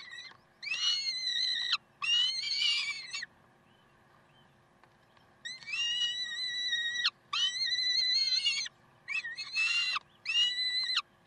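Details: Peregrine falcons at Karlsruhe, 30 May 2010, 7:27, uttering loud harsh wailing calls of about one to one and a half seconds each, in pairs separated by a two-second pause, steady in pitch and richly harmonic.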